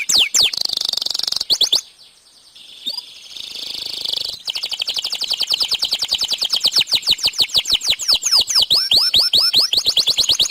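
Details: Canary delivering a long bout of song meant to spur other canaries into singing: rapid rattling trills, a short quiet pause with soft notes, then a sustained fast rolling trill building into curved whistled phrases.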